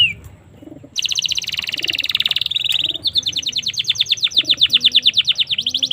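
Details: Domestic canary singing as a tutor recording for young birds: long, very fast chattering trills of repeated high notes, one rolling straight into the next.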